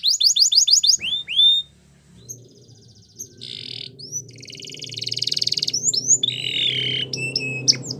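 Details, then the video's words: Belgian canary training song: quick trilled notes and whistles at the start, then quieter buzzy rolls and scattered whistles over a low background rumble. "Canary's Most Powerful Song For Training | Belgian Canary"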